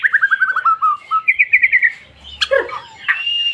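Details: White-rumped shama song used to get other birds singing: quick descending run of repeated notes, a higher rapid phrase, then a harsh note and a short whistle.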